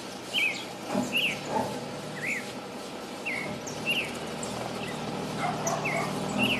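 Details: A Creamy-bellied Thrush sings inside a city amid trucks, passing people talking and barking dogs, giving short, slurred, mid-high whistled notes about once a second over a steady hum of traffic noise.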